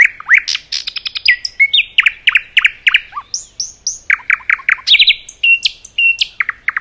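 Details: Dense, loud common nightingale song in a forest: rapid repeated throaty notes, rising and falling whistles, quick trills and sharp clicks tumbling together almost continuously throughout.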